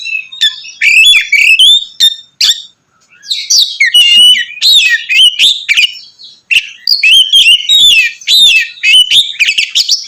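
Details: Oriental magpie-robin singing continuously and loudly in ngeplong style to provoke other magpie-robins; varied whistles, rapid chirping trills and harsher notes in long bursts with a short silent gap.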